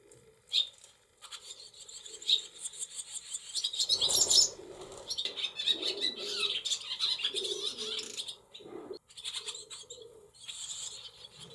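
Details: Barn swallow nestlings in a nest inside a cowshed holding several nests, on 28 July 2024, give high, thin chirps in quick overlapping bursts, mixed with fluttering wingbeats and a soft low murmur underneath.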